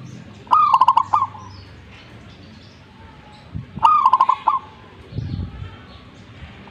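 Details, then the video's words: Zebra dove (perkutut) in full 'gacor' vigorous singing: two phrases about three seconds apart, each a rapid stuttering run of soft coos ending in a longer drawn coo, with low rumbling thumps and faint background noise between phrases. "gacornya perkutut ini"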